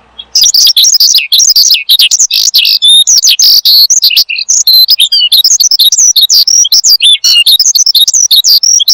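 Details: Nonstop song of an Oriental skylark, presented as a lure and master sound for cage birds: a dense, unbroken stream of very high, quick, varied chirps, trills and slurred whistles, loud and close.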